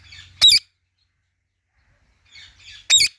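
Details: Indian ringneck parrot alternating low raspy chatter with two loud, piercing, harsh shrieks about two and a half seconds apart.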